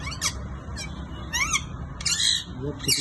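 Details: A green male rose-ringed (ringneck) parakeet talks, saying "Mian Mitho", in a high, raspy, nasal voice: a handful of short word-like bursts about half a second apart, over a low hum.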